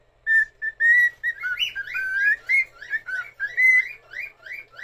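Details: Pet cockatiel in Japan singing, stretching its neck while it sings: a run of clear whistled notes, first level, then rising and falling slurred phrases repeated in quick succession, melodic and tune-like, in a quiet room.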